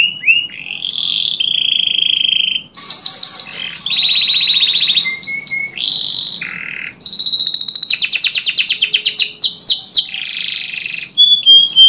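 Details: Canary song played as therapy to stimulate canaries that have stopped singing: long sustained buzzy rolls alternating with high rapid trills and short whistled notes, each phrase shifting in pitch, loud and continuous.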